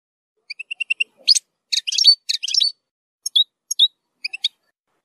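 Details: European goldfinch zilzal song for teaching young goldfinches, rich in strong nahrat: a row of evenly spaced high pure notes, then scratchy buzzy chatter and sparse liquid twitters against a silent background.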